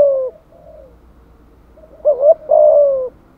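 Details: Spotted dove coo used as a lure: a soft fading note, a quiet pause, then a wavering double note followed by a long slightly falling hoot.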